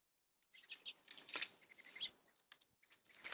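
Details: Birds heard on a rainy day, giving a quick run of high, scratchy chirps and twitters, some notes rising sharply, with soft patter and fluttering between calls.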